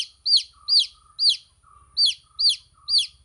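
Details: Six loud, high chick peeps, each sliding sharply downward, spaced about half a second apart, with a faint softer tone between them.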